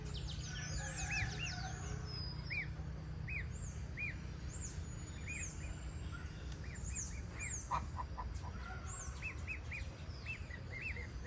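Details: Goslings calling at a farm: repeated short arched peeps in uneven runs, overlapping at times, with thinner high chirps from other birds above and a steady low rumble of background noise throughout.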